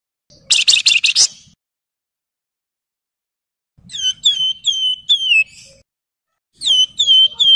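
Javan fulvetta opens with a quick buzzy chatter, then gives clear, high, down-slurred whistles in runs of four or five, about two per second.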